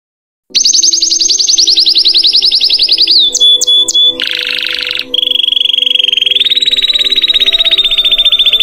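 A Belgian canary sings loud, fast rolling trills, shifting through a high slurred run, a few clear whistled notes and a harsh buzzy burst before a long steady roll.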